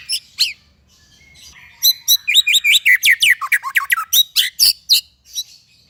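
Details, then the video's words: White-rumped shama song used as a tutoring recording for young or silent captive shamas: quiet opening notes, then a rapid run of loud, sharp descending whistles and chirps, about three per second, in a quiet room. "MASTERAN MURAI BAHAN DAN MURAI MANDEK ( shama bird singing )"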